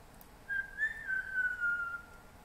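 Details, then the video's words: MacGregor's bowerbird singing in rainforest in Papua New Guinea: a soft, pure whistle, a couple of short notes sliding into one long, slightly falling tone, in a quiet forest setting. "Macgregor's bowerbird singing in rainforest"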